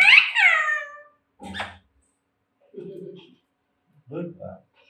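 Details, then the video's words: Alexandrine parrot kept as an indoor pet and trained to say Jai Shri Ram and Mithu Bete opens with a loud, harsh, falling harmonic syllable; softer rough sounds and low murmuring follow at intervals. "Talking Parrot || Jai Shri Ram || Mithu Bete"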